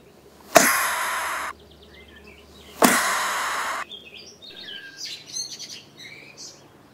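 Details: A great tit aggressively defending its nest at a house terrace in May gives two harsh, hissing bursts about two seconds apart, each lasting roughly a second, followed by faint high chirps and twitters.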